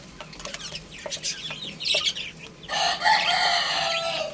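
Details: A group of baby chickens playing and eating: sharp high peeps and taps at first, then a sustained, loud, harsh, rasping call for the remaining second and a half.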